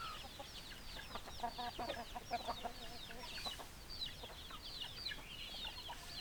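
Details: Hens clucking in a busy flock: short, low clucks in quick uneven bursts, loudest in the first half, overlaid throughout by many thin, high, downslurred chirps.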